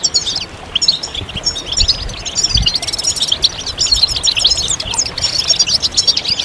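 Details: Chorus of European goldfinches, mating and readiness calls meant to stimulate males into song: continuous high tinkling twitter with rapid trills and buzzy notes, many voices layered, little background noise.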